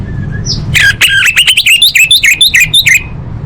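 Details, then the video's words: Female orange-headed thrush calling males, used to coax non-singing birds; a dense run of about fifteen quick scratchy notes with bright downslurred whistles, lasting two seconds after a brief faint squeak, over low hum. "Suara Anis Merah Betina Gacor Untuk Memancing Burung Macet Bunyi"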